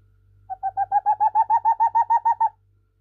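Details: An old captive boreal owl, blind in both eyes, sings indoors at night in response to croaking tree frogs: a rapid run of about thirteen soft, hollow hoots in two seconds, rising slightly in pitch and loudness; faint low hum beneath.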